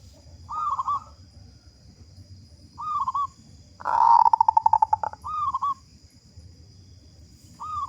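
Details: Local zebra dove with a big voice, singing actively as a lure to get other zebra doves singing quickly: short rolling coo phrases repeated about every two and a half seconds, broken midway by a loud rapid pulsing burst.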